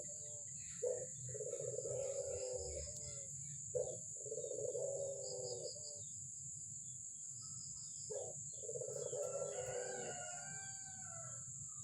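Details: An albino Barbary dove coos insistently. Long, purring, rolling phrases are each opened by a short, sharper accent note, with brief pauses between them. Low background rumble and a constant high-pitched electronic tone are also heard.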